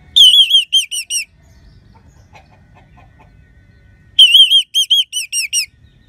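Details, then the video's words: Song of an orange-headed thrush, a cage bird from Bali used to prompt sluggish birds into singing: two short bursts of clear, wavering whistled notes, about six each, separated by three seconds of quiet. "Gacornya ANIS MERAH Suara Kristal Bagus Untuk Pancingan Burung Lemas ataupun Macet Dijamin Ngelawan."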